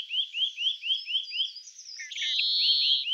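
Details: Great grey shrike in the Loonsche Land near the Efteling, Netherlands, giving a quick series of about seven short, rising whistled notes, then a harsh buzzy burst and a drawn-out high note.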